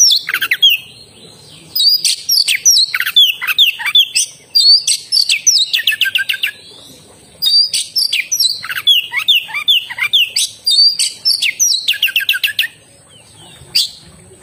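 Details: Oriental magpie-robin singing continuously: long varied sequences of whistled slurs, downward sweeps and rapid stuttering chirps, repeated in two extended phrases with short pauses, over a faint steady high tone.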